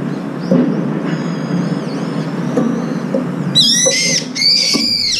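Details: Brown-eared bulbuls, up to five birds gathering to share a morning meal and squabbling over food. Quiet background hum, then loud harsh screeching calls with rich harmonics, two strong bursts near the end.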